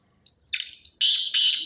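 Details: Black francolin, kala teetar, giving a harsh rasping call: a short faint note, then three loud broad scratchy grating bursts, each about a third of a second, in quick succession.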